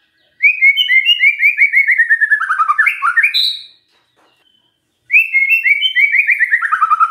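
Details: White-rumped shama singing as a lure to set other shamas off: a quick run of bright, slurred whistled notes falling in pitch, a high thin note, a pause of over a second, then the same cascade starting again.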